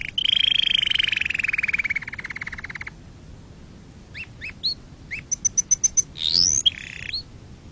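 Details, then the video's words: Canary song for teaching chicks to sing and for mating: a long buzzy trill slowly falling in pitch for three seconds, a quiet pause, then short upslurred notes, a rapid high ticking run and a bright rising sweep. "تغريد كناري أصلي لتعليم الفراخ وللتزاوج وتهييج طيورك"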